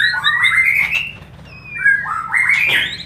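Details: White-rumped shama song used as a lure to stimulate quick mating: rich whistled phrases sliding up and down, a long falling glide in the middle, then a bright rising burst, with a soft low hum beneath.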